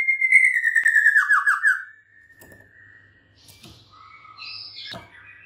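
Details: Long clear whistle from a white-rumped shama breaking into a quick falling trill, then faint scattered calls and clicks in a quiet room.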